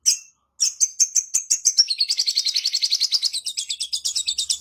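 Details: Sooty-headed bulbul in full song with a varied fill-in repertoire: a brief high note, then a series of whistled chirps that speeds into a dense, buzzy rapid trill lasting several seconds.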